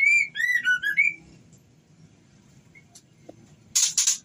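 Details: Female white-rumped shama in breeding condition calling the male. It opens with a run of rising and falling whistled notes. After a quiet gap, harsh broadband rasping bursts close the passage.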